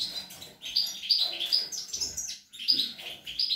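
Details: A European goldfinch, feeding its young on 25 April 2021, gives two short bursts of bright, high chirping twitter separated by a brief gap.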